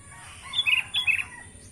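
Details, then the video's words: Tame sooty-headed bulbul sings a brief, bubbly phrase of clear whistled notes, two paired slurred pairs in about half a second, against soft background hum. "burung kutilang jinak"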